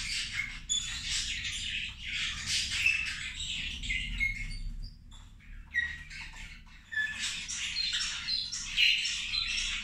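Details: Zebra finches during a meal, trading quick nasal beeps and squeaky chirps in two busy spells separated by a quieter pause, with a soft low hum underneath.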